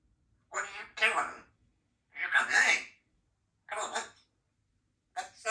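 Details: A 2-year-old female Congo African grey parrot practicing sounds produces four short bursts of speech-like chatter, with raspy syllables and a brief whistled, rising note in the second phrase, separated by pauses.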